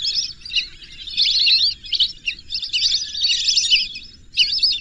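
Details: Lesser whistling ducks give shrill, overlapping whistled calls in two long bursts, a short pause, then a final quick flurry.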